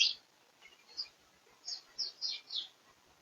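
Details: Crimson rosella in Australia giving a short run of high, sharp chirps: one at the start, a faint pair near one second, then five quick notes clustered in the last two seconds, with a soft hiss beneath.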